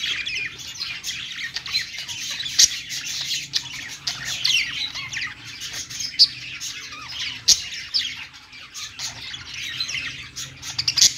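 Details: Several parakeets singing on a perch keep up a continuous rasping, twittering chatter, punctuated by frequent short clicks and occasional louder squeaks over a faint low hum.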